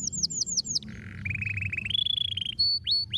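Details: Canary song opening with quick downward-slurred high notes, then a steady buzzy lower trill that climbs in steps into pure sustained whistles and sharp upward flicks, over a soft low background hum.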